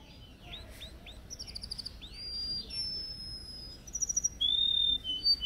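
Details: Yellow canary singing from a cage during training, Samsung S8 Plus recording: quieter, varied phrases of upward slurs, sustained thin high whistles and short chattering bursts over a background hiss.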